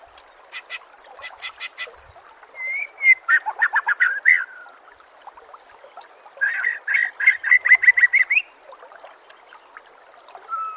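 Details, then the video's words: White-rumped shama in a master recording for songbird training: sharp ticking notes, then a whistle leading into dense fast trills, a pause, and another long run of quick, evenly spaced notes. "Masteran murai AMPUH"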